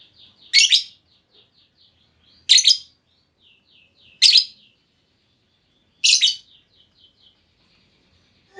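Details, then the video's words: Calls of a female lovebird meant to draw long trilling answers from others: loud harsh chirps roughly every two seconds, with soft twittering notes in between, quiet surroundings. "Pancingan Burung Lovebird Betina! Bakal Langsung Respon Lovebird Segala Kondisi Auto Ngekek Panjang"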